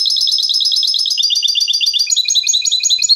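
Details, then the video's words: Contest-style 'limpio' song of a European goldfinch, used for tutoring young goldfinches: rapid, bright twittering trills of repeated notes, shifting partway into a higher, thinner run of clipped notes. "Canto Limpio del Jilguero | Chant chardonneret"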